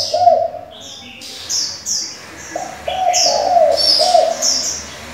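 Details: Spotted dove decoy switching voices continually, used to stimulate doves and train young birds: low cooing phrases at start and again from about three seconds, mixed with frequent high chirping of small birds.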